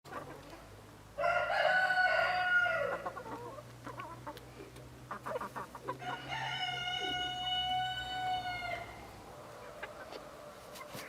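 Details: Partridge-coloured Araucana chickens, a domestic breed from Chile: two long harmonic crows from a rooster, the first rough and falling, the second steady and drawn out, with scattered clucks and clicks between and farmyard background noise.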